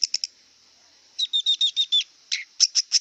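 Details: Singing wild long-tailed shrike: a few sharp chips, then a string of six even whistled notes, a downslurred rasp and more loud chips.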